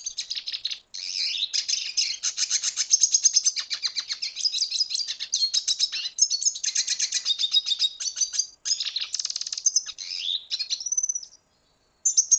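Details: Venezuelan red siskin singing a long, fast, continuous twittering song of high buzzy trills and chattering notes, with a brief pause near the end; clean recording with no background noise.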